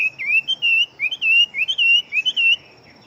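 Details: Chinese hwamei kept as a fighting bird, large-bodied and singing very rapidly: loud slurred whistled phrases, rising and falling, about eight quick notes run together in three seconds with hardly a pause.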